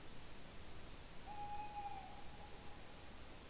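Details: Tawny owl at Ūpis in Latvia on 8 May 2017: a single smooth, steady note of roughly three-quarters of a second, mid-clip, with steady hiss throughout.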